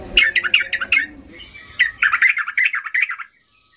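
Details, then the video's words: A Yellow-vented Bulbul sings fast, excited, bubbly and gurgling chattering phrases, a fired-up song meant to provoke quiet bulbuls into answering, with a faint low rumble early on. "Trucukan gacor ngamuk memancing trucuk diam Bisa bisa Nyaut Emosi tinggi"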